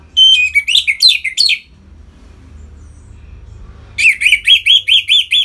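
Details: Captive Orange-headed thrush in full ngeplong song to stimulate other birds: a sweeping whistled phrase with rising notes, a pause, then seven evenly spaced, upslurred chirps.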